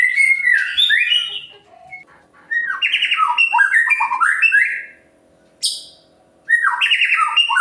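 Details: Energetic white-rumped shama song, used to fire up other birds and make them sing. Fast runs of rising and falling whistles in dense phrases, a brief high burst, then more warbling after a pause.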